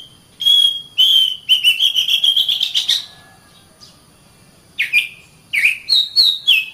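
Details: Caged Oriental magpie-robin, training song for morning or evening: sustained whistles leading into a fast climbing trill of notes, brief quiet, then downward-slurred and upward whistles.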